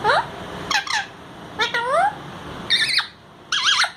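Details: Parrot talking, speech in Hindi: a run of five short, speech-like bursts with swooping and wavering harmonic tones, spaced irregularly about half a second to a second apart, in a small room with low background hum.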